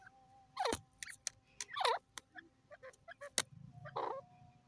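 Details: Jungle francolin uttering two strong descending swooped calls about a second apart, followed by softer short notes, sharp ticks and a brief hiss over a constant low hum.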